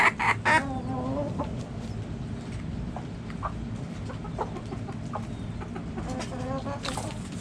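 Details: Backyard hens open with loud, nasal, rising calls. Scattered soft clucks follow at an uneven pace, then another pair of sharper calls comes near the end, all over constant low background hum.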